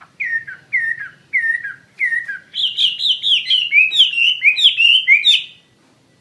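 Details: Chinese hwamei in energetic 'gacor' song: four separated downslurred whistles, then a rapid run of higher, bright, rippling notes strung tightly together before falling silent.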